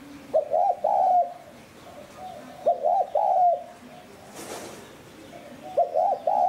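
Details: Spotted dove cooing, 'hạp bổi sát bổi' style, to lure wild doves: three phrases of stuttered lead-in notes and a drawn-out coo, about every two and a half seconds, with a brief rustling burst in between.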